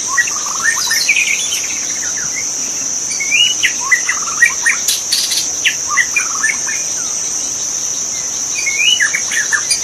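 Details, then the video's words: Magpie-robin singing in the wild in a forest, recorded as master song for training cage birds: varied short whistled phrases, slurred and clipped notes in quick irregular bursts over a steady high insect drone. "Masteran suara burung murai asli di hutan"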